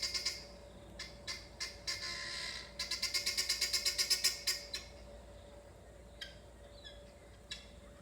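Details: Helmeted guineafowl coming into a back yard to roost for the night give harsh, grating bursts that speed into a fast rattling series of about six notes a second, then scatter off, over a steady low hum.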